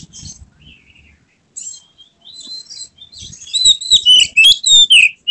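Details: Emotional white-rumped shama with spread tail; soft thin warbles and scratchy notes build into a loud, fast series of ringing whistles and slurred phrases in the second half.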